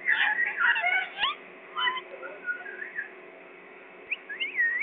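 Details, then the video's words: Parrot from Pakistan chattering in quick warbled whistles at first, then quieter scattered notes and a final pair of rising, looping whistles. "parrot pakistani"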